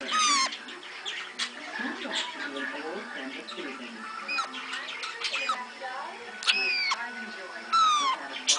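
A New Zealand parakeet gives loud bursts of harsh chattering squawks and quick downward-sweeping notes, with human voices talking underneath.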